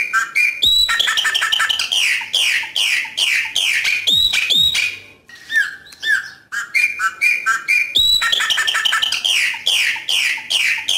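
A chopi blackbird sings a loud, rich jumble of clear whistles, liquid gurgles and sharp clicking notes.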